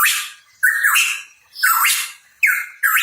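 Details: Hooded pitohui (cucak rawa papua) chirping: loud rough notes, each beginning with a short flat whistle that sweeps into a harsh, noisy burst, repeated about every 0.6 to 0.9 seconds.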